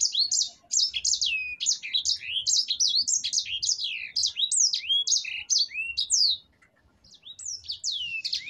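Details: Sanger finch (black-throated canary) singing gacor: a rapid, unbroken series of steep downslurred whistled notes for about six seconds, a short silence, then a few more phrases.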